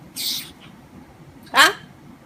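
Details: Talkative pet grey parrot, known for imitating coughing, makes a short breathy, hissing burst and then a sharp, harsh, descending rasp about a second later. Quiet indoor background with people speaking around it.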